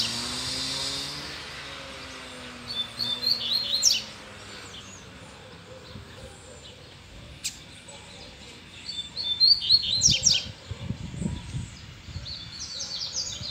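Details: Free-flying double-collared seedeater singing, excited by a female. Two bursts of fast, high twittering phrases, several seconds apart, with quiet stretches, low background murmur and a faint voice between them.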